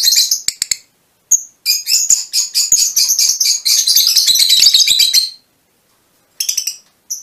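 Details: Colour-mutation Fischer's lovebirds giving a few sharp clicks and a whistled chirp, then a long stream of rapid shrill chattering, a pause, and a few closing squeaks.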